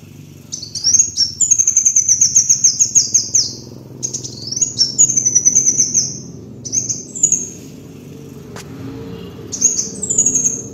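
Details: Master lure recording of a kolibri wulung sunbird: long, thin, shrill trills at very high pitch, delivered in four bursts with brief gaps and a sharp click near the end, over a faint hum.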